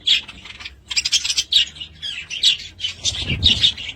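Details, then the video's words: Budgerigars at home giving continuous busy chatter: rapid warbled chirps and squeaky notes run together without a break, with louder bursts throughout and some low thumping noise near the end. "Budgies sound"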